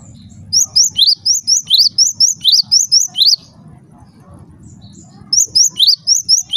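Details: Java sparrow calls reported to trigger calling in other Java sparrows: a run of about twelve sharp, rising chirps, nearly two seconds of soft background noise, then another quick series of the same high notes.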